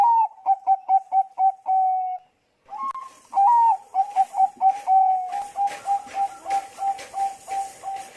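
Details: Zebra dove, Bangkok type, song used as a lure to set other doves singing: rapid series of short mellow coos near one pitch, a drawn-out note, a brief pause, then a rising opening phrase and more repeated coos.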